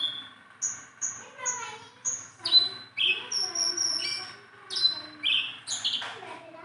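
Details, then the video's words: Tame Sunda bulbul, hand-friendly, singing tirelessly: a run of short, clear whistled notes, some flat and some sharply falling, spaced about half a second apart, with a few bright, slurred phrases near the end. "BURUNG JONGKANGAN GACOR TELER JINAK PETETAN"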